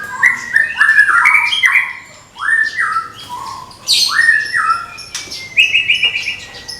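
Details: White-rumped shama of the Medan type, caged and ready for contest, repeating short upswept whistled phrases in quick succession, with harsh bursts and a closing run of rapid even notes.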